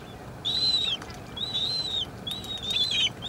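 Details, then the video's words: Adult and chick slender-billed gulls: three drawn-out, high, slightly arched whistled notes, each about half a second long and separated by short pauses, over a low background hiss. "Goélands railleurs adulte et poussin"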